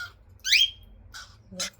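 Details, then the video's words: Cockatiel chick at feeding time giving a loud, harsh call that sweeps up and down, with fainter short calls after it in a small quiet room. "baby cockatiel feeding time"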